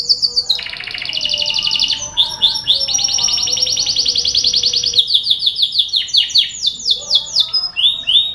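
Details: Canary song used as a lure to get other canaries singing: fast rattling trills and rolled tours, high and metallic, shifting between rapid buzzy runs and sweeping repeated whistled notes.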